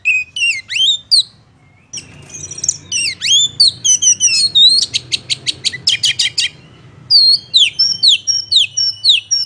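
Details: Male-provoking oriental magpie-robin song: sweeping whistled notes, a brief silence, then a rapid string of evenly repeated sharp ticks, followed by clear descending whistles repeated several times.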